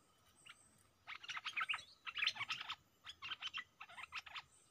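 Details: Stripe-throated bulbul kept as a decoy bird, facing fierce captured wild birds, gives bursts of rapid bubbly chirps, several quick notes in a row separated by short pauses, with a soft background hiss.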